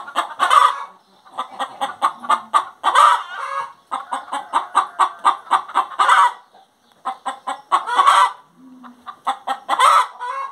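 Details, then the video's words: Long sequence from a singing hen: bursts of fast clucking, each swelling into a loud, harsh squawk about every two to three seconds, with short pauses between bursts. "Galinha Cantando"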